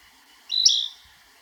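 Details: Narcissus flycatcher (Ficedula narcissina) song recorded in Niigata Prefecture, Japan: a single quick, bright phrase, a high whistled note sliding into a rich warble under half a second long, against a quiet background.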